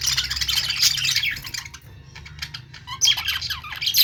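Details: Budgerigars chirping: bursts of squawky, warbled high chirps for over a second, a quieter lull with scattered thin notes, then another lively run of chatter near the end.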